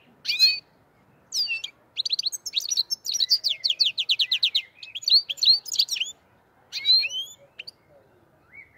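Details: Black-headed goldfinch song in the Andijan, Kuva and Fergana style. Sharp opening chirps lead into a sustained, fast sequence of tinkling, buzzy notes, ending with a few separate clear calls.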